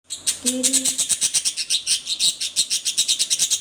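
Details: Angry pet budgerigar giving harsh, raspy chatter of rapid scratchy pulses, about eight per second, steady throughout, with a faint low hum near the start.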